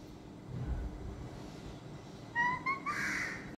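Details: Pet talking Alexandrine parakeet saying "Assalamualaikum": a few clipped, voice-like syllables ending in a rougher, buzzier phrase, after a quiet stretch of low room rumble.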